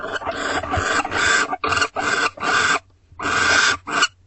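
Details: At an owl box at 5:21 am on 29 March 2025, as a barn owl pair returns and the male brings a rodent to the hungry female before mating, a barn owl gives harsh, rasping hisses in a quick series of drawn-out bursts.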